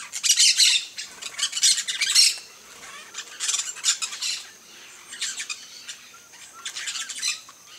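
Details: Campo flicker, a ground-foraging woodpecker of open fields: loud, raucous squawking bursts in clusters, roughly every one to two seconds, harsh and broad-toned throughout.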